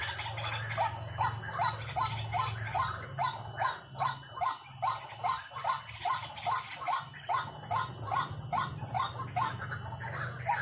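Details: ['White-breasted waterhen lure call: a long, regular chain of short, rising croaks, around two and a half per second, over a steady low droning hum.']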